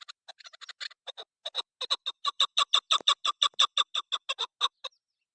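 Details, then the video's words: Female chukar partridge: soft, uneven clucks build into a loud, regular run of harsh, ringing notes, about three a second, stopping abruptly near the end. "Shikari Chakor Awaz Madi Female Chakor Awaz Keklik Sesiشکاری چکورآوازمادی چکور"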